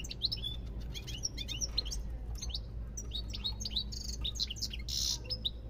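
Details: European goldfinch in continuous lively song: rapid high chirps, liquid twitters and slurred whistles, with a short harsh buzzy note near the end, over a low constant hum.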